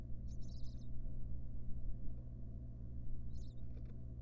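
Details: A wild barn owl mother tends her nestlings in a nest box. A half-second burst of high squeaky chittering opens the recording and a shorter one follows about three seconds later, all over a low steady hum.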